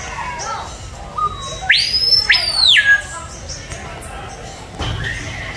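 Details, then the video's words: Captive screaming piha at San Diego Zoo giving one loud whistled call: two sharp rising sweeps that climb into a long, high, ringing note before it drops away, with murmuring visitors in the background. "Screaming Piha Call"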